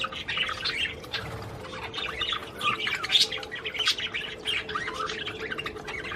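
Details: Australian budgerigars warbling in a mating-encouragement chorus: a steady stream of high chirps and rapid clicks from several birds, over a constant low electrical-sounding hum.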